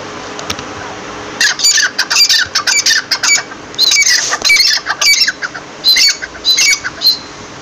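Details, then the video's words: Partridge (teetar) repeating grating, squawky notes in quick groups after a short quiet start, with small pauses between phrases. "Teeter ke Awaz"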